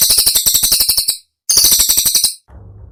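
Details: Cililin song meant for teaching other songbirds: two short volleys of fast, sharp, high-pitched notes separated by a brief silence, ending on a low steady hum.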